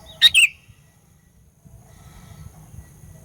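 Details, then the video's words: Sooty-headed bulbul song played to provoke rival birds: one short two-part phrase, a sharp note then a slurred falling whistle, followed by quiet low rumble. "Burung Kutilang Pikat Gacor Fighter, Paling Jago Mendongkrak EMOSI Kutilang LAWAN"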